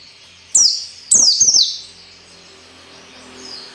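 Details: Captive-bird training audio of white-eye song in the 'ngalas nembak' style: a single shrill falling note, then a longer trilled downward sweep, followed by quiet with faint background hiss.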